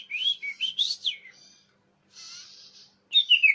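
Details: Common iora lure calls, described as clear and loud: a rapid series of rising and falling whistled notes, a soft buzzy stretch, then more slurred whistles.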